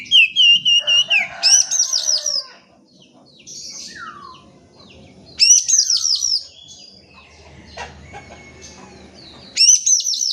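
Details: Oriental magpie-robin lure song meant to make reluctant birds respond: bursts of fast, repeated, hooked high whistles roughly every four seconds, with softer chattering and falling notes between them.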